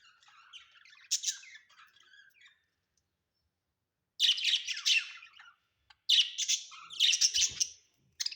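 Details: Pet budgerigars at home chatter loudly in dense, buzzy, warbling bursts of rapid chirps. A long run of chatter is followed by a silent pause, then more vigorous twittering that has a faint low knock beneath it.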